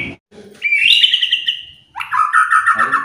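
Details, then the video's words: White-rumped shama song used to stir other birds to sing: a brief note, then a long bright whistle slowly falling, followed by a lower rich warbling phrase. "DENGAR SEBENTAR SAJA..BIKIN MURAI APAPUN ,,,//,,LANGSUNG,,IKUTAN EMOSI,,BONGKAR MATERI"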